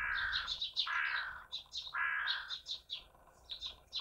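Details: Common blackbird, a morning visitor: low fluted phrases, each followed by a burst of high twittering notes, in three phrases.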